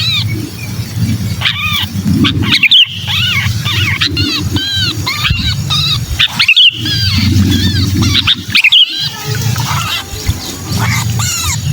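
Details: Sooty-headed bulbul trapped-bird calls used to lure bulbuls: agitated, arched nasal squeals repeated rapidly and overlapping, several loud clicks, and a low hum throughout.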